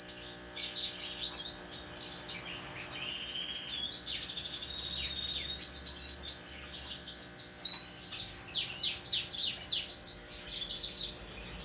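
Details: Hand-tame Pacific parrotlet on 26 November 2021 keeping up nearly nonstop high, scratchy chirps and tweets for over ten seconds, quick notes packed closely in uneven runs, a quiet hum in the background.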